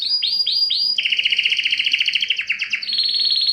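A Spanish Timbrado canary sings loud, metallic rolling trills: three quick rising notes, then a long fast rattle that shifts pitch and ends in a higher buzzy trill.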